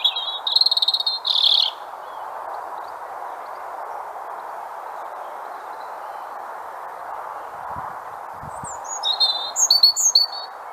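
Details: A European robin, a common Irish garden bird, sings two short, high, thin warbled phrases, one at the start and one near the end, separated by a long pause over a steady background hiss.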